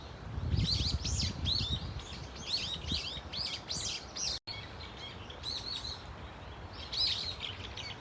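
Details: A flock of Brown-eared Bulbuls at Dunsan Grand Park utters strident, curving shrieks in quick runs, with a brief low thump near the start and a short silent break midway.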